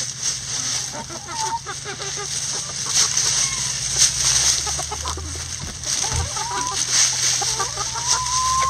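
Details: Backyard coop chickens scratching through a heap of leaves give thin rising whistled calls now and then, the last one long and drawn upward, with soft clucks beneath and continuous crackling leaves and background hiss.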